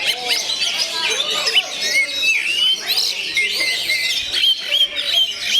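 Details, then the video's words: Oriental magpie-robin singing in the style known as gondo mayit: dense, varied high whistles and chirps, rising and falling slurs with quick trills, delivered almost without pause. "SUARA ASLI KACER GONDO MAYIT"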